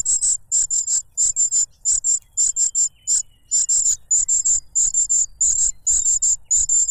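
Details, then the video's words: Begging cuckoo chick, noisy while snatching food from its foster father, who feeds it a butterfly; thin, high-pitched chirps in quick clusters, nearly continuous, over a faint low rumble. "The cuckoo bird is too noisy when trying to grab food杜鹃鸟抢食太吵闹了"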